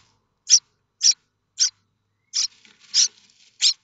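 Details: Nestling common starlings at Théding, France, 7 May 2024, calling for food from a parent: six separate rasping bursts about half a second apart, with softer chatter between the final few.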